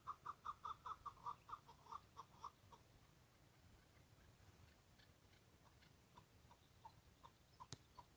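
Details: Wild chukar partridge: a burst of about a dozen loud, evenly spaced clucking notes that slow and fade after three seconds. Fainter, scattered notes follow over a steady low background hum.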